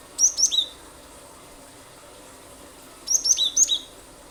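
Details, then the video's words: Cinereous tit in 'gacor' form, used as a lure for other birds; two bursts of high, clipped chirps, the first of three notes and the second of five, about three seconds apart. "pancingan ampuh glatik batu gacor nembak nembak pasti burung lain ikut bunyi"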